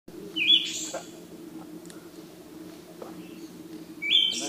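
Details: Siberian thrush recorded on 17 June 2017: two short whistled phrases, each a clear note with a hissy, buzzy tail, about three and a half seconds apart, over a steady low hum.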